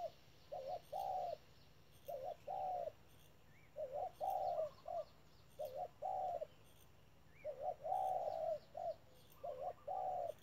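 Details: Decoy spotted dove at a bird trap calling in the 'thúc' style, repeating hollow, low cooing phrases of several notes roughly every two seconds, with quiet background chirps.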